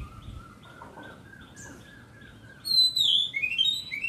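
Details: Oriental magpie-robin giving a loud phrase of rich, sliding whistles near the end, after soft scattered chirps and a faint steady tone in the background.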